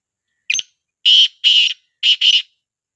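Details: Black francolin call used as playback to get silent partridges calling: a short harsh note, then two long grating buzzy bursts, a brief pause and two more bursts, loud and clean with no background.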